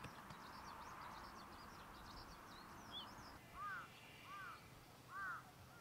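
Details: A grey-headed lapwing in breeding rice paddies at Iwatsuki, Saitama, Japan, on 22 June 2019 gives three harsh, arched calls about a second apart; faint high twittering from other birds comes earlier, over steady outdoor rumble.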